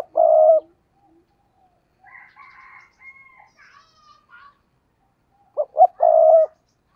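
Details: Decoy spotted dove cooing to lure wild doves: a long hoarse coo at the start, a fainter drawn-out higher call in the middle, then two quick notes and a long coo at the end.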